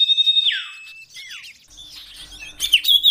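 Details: Common iora song used as cage-bird training audio: a high steady whistle sliding down into a falling slur, scattered chirps and soft rustling, then bright sharp whistled notes at the end.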